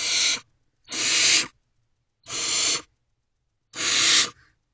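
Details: Barn owl owlets inside a nest box at 3:27 am on 12 May 2023 as food arrives from the adult male; four clean, harsh hissing screeches spaced about a second apart against silence.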